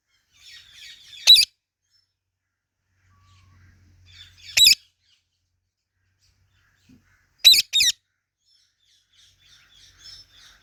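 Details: Ringneck parrot giving sharp, harsh squawks at irregular intervals, roughly three bursts over ten seconds, one of them doubled, each preceded by faint, rapid chattering chirps; long quiet gaps between.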